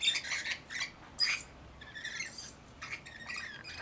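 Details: Rainbow lorikeets, roughly 40 in a flock with a single baby, steady overlapping scratchy chatter and screeches from several birds, moderately distant.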